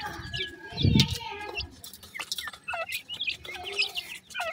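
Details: Baby pheasants at new food: a low thump opens, then clear high chirps with bent, hooked notes follow in scattered groups, over a soft steady hum.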